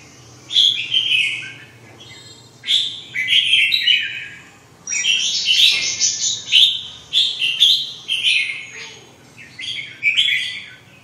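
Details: Red-whiskered bulbul giving a string of short, bright, warbling whistled phrases, each under a second, repeated every one to two seconds with brief pauses between them. A soft low hum sits underneath.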